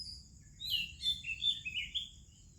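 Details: Oriental magpie-robin, singing in the morning with other birds about, gives a brief string of four or five rich, high whistled notes, each falling slightly, over a soft low background murmur.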